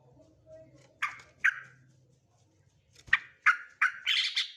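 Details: Male sooty-headed bulbul giving loud, throaty chirping notes in pairs and short runs, ending in a brief rush of higher twittering, over a faint low hum.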